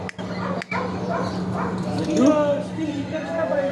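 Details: Talking parrot uttering a continuous speech-like phrase that ends in a drawn-out whistled rise, with a low hum beneath.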